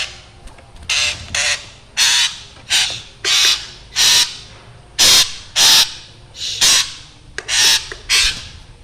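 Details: Black drongo in lively voice, sound described as scary; about thirteen coarse, buzzy rasping notes, often in pairs, delivered steadily and loudly.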